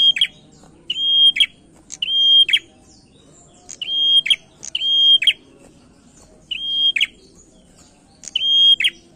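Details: A male prinia sings to provoke other birds into song, delivering six sustained high whistled notes, each closed by a scratchy buzz, at uneven intervals over about nine seconds in a quiet setting.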